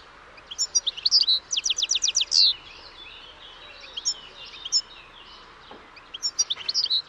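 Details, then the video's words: European goldfinch song mixing tinkling chirps with a quick run of evenly spaced buzzy notes, then sparse single calls before a final twittering burst. "O canto do PINTASSILGO/GOLDFINCH SONG"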